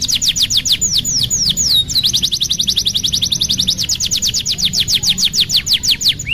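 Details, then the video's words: Canary singing to tutor young birds: quick downward-flicked whistles, a brief glide, then a long even tour of crisp repeated notes at a steady fast pace. "MASTERAN KENARI PAUD BELAJAR BUNYI | CANARY SINGING"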